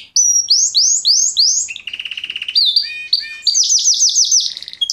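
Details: A male pet Fife Fancy canary sings his heart out: a loud, varied song of rising whistled notes in quick series, a buzzy rattling trill, then bright rapid chirps.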